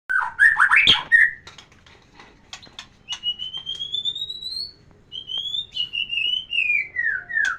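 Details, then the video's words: White-rumped shama song played as therapy to bring a female into breeding condition: a burst of rapid warbled notes, then long clear whistles that slide gradually upward, then a falling whistled phrase, with faint clicks between. "terapi kicauan murai batu biar pancing birahi betina"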